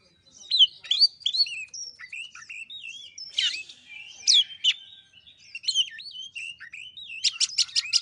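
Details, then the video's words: Lure song of a white-rumped shama, played to stir a quiet bird to sing; a long run of fluty whistled notes, slurred up and down, with a burst of rapid repeated ticks near the end. "Pancingan kacer males bunyi"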